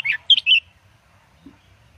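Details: A captive red-whiskered bulbul of a professional Indonesian double-song type, played to teach young birds, gives a quick burst of three bright, liquid warbled notes over half a second, followed by near silence.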